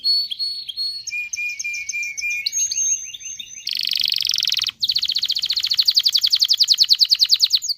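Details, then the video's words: Excited canary singing to stimulate males and females to mate: high whistled notes and sliding phrases, then a dense buzzy trill and a fast rapid-fire roll of repeated notes. The phrases change abruptly. "تغريد كناري لتدريب ذكور واناث الكناري على التزاوج. صوت كناري لتزوج .. Canary singing"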